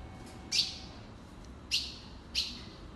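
Ultramarine grosbeak giving three sharp, high chip notes spaced about a second apart, over a low steady background hum.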